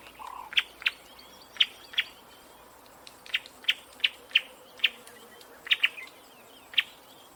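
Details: Sharp, dry chip notes from a bird come singly or in quick pairs, irregularly spaced about every half second to a second, with a brief lower note at the start and a quiet background.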